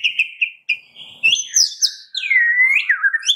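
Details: White-rumped shama song played to prompt caged birds to sing and as therapy for a bird that has stopped singing: steady whistled notes, then sweeping whistles rising and falling, with a long slurred whistle near the end.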